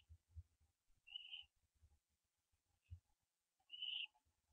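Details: Owl on a hitching post before dawn, September 15, 2011; two clear high whistled notes about three seconds apart, with faint soft tapping and thuds between them.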